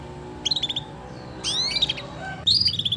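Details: Energetic canary singing as a lure to get silent canaries singing: a quick run of repeated chirps, then a long rising whistle with twittering, ending in another rapid burst of bright clipped notes.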